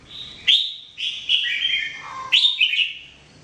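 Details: Red-whiskered bulbul singing as a training bird: a run of loud, bright whistled notes with quick rising and falling slurs, a lower dipping note near the end, then another sharp phrase.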